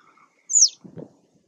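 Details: One brief, shrill call of a citrine wagtail sweeping down from a high pitch, Taglio di Po (RO), 2 May 2021, followed by a soft low rustle.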